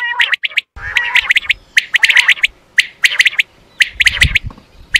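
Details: Quail call from a quail hunting setting: dense, overlapping bursts of sharp high clipped notes in rapid groups, with a brief lower tonal whistle near the start and faint low rumbling underneath.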